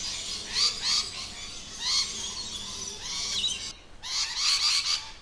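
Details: Lorikeets in their natural habitat give harsh, high, screechy bursts in irregular clusters, about six over five seconds, with a faint outdoor hum beneath.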